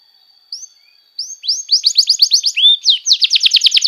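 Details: Canary tutor song for young birds: a thin steady whistle with a single upslur, then a quickening series of rising notes, one lower sweep, and a loud, dense, rapid trill.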